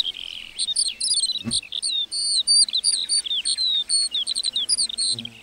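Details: Singing lark in a meadow, a busy warbling stream of high chirps, quick slurred notes and rapid trills, with one brief low thump partway through.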